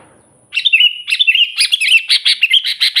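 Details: Sooty-headed bulbul singing to call and provoke wild bulbuls and rivals: after a short silence, a bright whistled warble, then a rapid run of clear, repeated chirping notes, about eight in the last second and a half.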